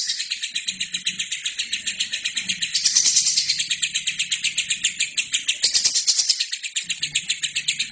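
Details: Lovebird singing nonstop for other birds to copy: even, rapid high chattering pulses about four per second, briefly louder and denser twice, with a soft low hum running underneath.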